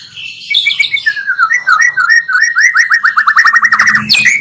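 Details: Magpie-robin lure recording combining two songs to provoke other birds: clear sweet whistled phrases falling then a long run of rapid rising notes repeated about five per second, ending in a sharp upward sweep.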